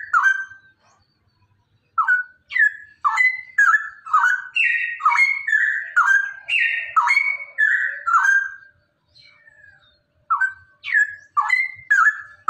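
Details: Rapid 'ropelan' song of a male straw-headed bulbul, played to coax other cucak rowo into singing. Bold, liquid whistles tumble in quick succession for about seven seconds, break off briefly, then resume with more rising and falling notes.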